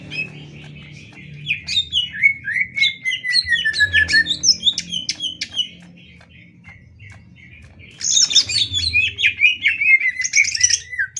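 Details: Greater green leafbird song used for training other birds: bursts of varied high whistles and chirps, a long falling slurred phrase, a quieter gap, then another busy rush of notes over low background noise.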